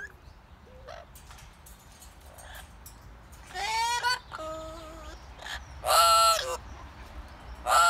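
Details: Pet blue-fronted amazon parrot outdoors, singing: a few loud harsh harmonic squawks and drawn-out nasal notes with wavering pitch, separated by quieter gaps, after a faint start.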